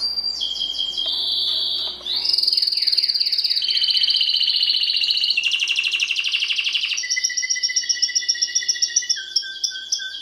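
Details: Timbrado canary singing to train canaries: a high rolling trill, a short run of descending chirps, then a long dense bubbling tour ending in pulsed, evenly repeated notes with a faint low hum.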